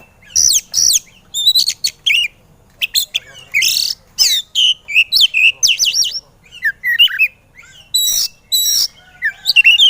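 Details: White-rumped shama singing an excited training song meant to prompt lazy birds to sing: rapid bursts of whistles, harsh chips and sweeping slurred notes, high and varied, packed with brief pauses throughout.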